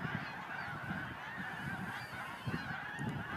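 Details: Massed snow geese near the Montmagny marsh on 17 April 2012 give a constant chorus of high, nasal honking calls, many birds overlapping without pause, over a low rumble of background noise.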